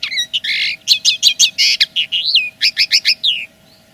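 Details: Territorial song of a common linnet: a continuous, energetic twitter of bright, high notes, buzzy fragments and short sliding whistles delivered at a fast pace for about three and a half seconds before stopping.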